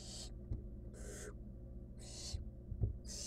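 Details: Wild barn owl chick in a monitored nest box, gulping down a rodent; harsh, broadband hissing screeches about a third of a second long, repeated roughly once per second, over a low steady background hum.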